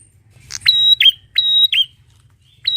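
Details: Prenjak (bar-winged prinia) song: two clear high whistles, each cut off by an abrupt falling chip, followed by a pause and the start of another whistle. Quiet low hum behind.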